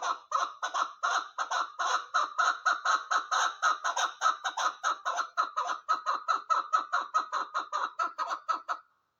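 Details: Female chukar partridge delivering a long, steady volley of hoarse chuk notes, roughly three per second, evenly loud throughout, ending abruptly into silence.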